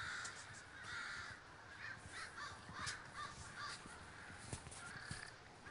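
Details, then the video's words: Distant flock of crows massing at Davis, California, a steady overlapping chatter of many hoarse caws beneath a broad hiss of background noise. "The Great Gathering of Crows III"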